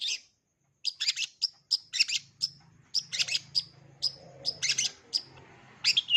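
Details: Long-tailed shrike with a full repertoire for young birds to learn, giving crisp high chips and clicky note clusters separated by short gaps, some clustered in quick pairs, above a faint low hum.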